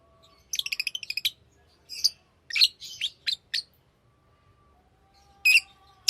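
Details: Tame pet lovebirds chirping: a rapid stuttering series of sharp chirps, then irregular squeaky, buzzy notes and loud shrill bursts, with brief silences and a faint low hum.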